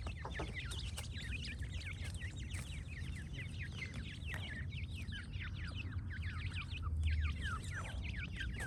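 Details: Francolin chicks calling together in a dense chorus of high, thin peeps, each a quick slurred chirp, overlapping almost continuously for the whole stretch over a low steady background rumble.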